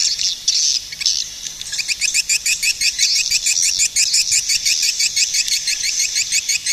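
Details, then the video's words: Swiftlet sounds: a couple of seconds of shrill twittering give way to a fast, even train of short high chirps repeated a few times a second. "suara burung walet"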